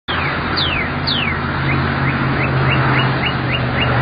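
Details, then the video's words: A female Northern Cardinal sitting in a tree calls to her mate with three clear whistles slurring down, then a quick run of short rising notes about three per second, over a steady low traffic hum. "Female Red Cardinal Calling Mate"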